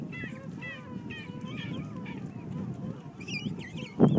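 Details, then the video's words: Several penguins at Fortuna Bay, recorded at a distance with an iPhone on 28 February 2013. Repeated warbling, modulated honks overlap one another, with a few higher squeaks near the end and a loud burst of noise at the close. "Penguin Noises"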